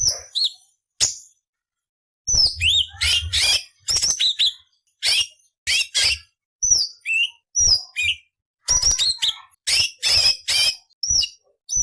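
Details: Cucak cungkok tutor song with coarse 'beset nyerecet' variations. After a quiet gap comes a fast stream of sharp downslurred whistles, buzzy rasps and chattering notes that builds into dense phrases.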